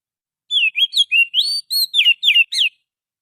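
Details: Lure song of a wild forest Oriental magpie-robin: about nine short sweet whistles in just over two seconds. Rising, falling and level notes alternate in a lively varied run, with no other sounds.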